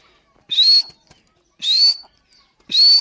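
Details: Female grey francolin (teetar), described as Dakhni teetar, calling: three loud, clear whistled notes, each sliding upward and then levelling off, spaced about one second apart, with faint clicks between them.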